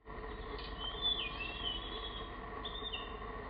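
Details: A singing male mangrove blue flycatcher on its favourite perch one afternoon on an offshore island gives high, sweet whistled phrases that slide up and down, three short bursts over a few seconds, above a steady low mechanical hum.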